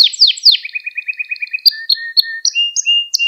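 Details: Canary training song for young birds: sharp descending sweeps, a rapid low rattling trill, then alternating short high notes and level whistles.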